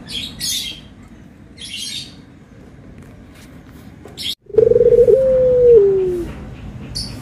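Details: Barbary dove, with white and brown birds compared, gives anggungan cooing: one long low coo that starts with a rough pulsed note, then holds steady and slides downward, after a quiet stretch with brief high chirps from other birds.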